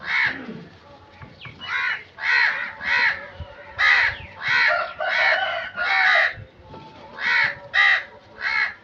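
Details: A crow giving a steady series of about ten harsh, hoarse caws, each roughly half a second long and spaced evenly, over a faint low background noise.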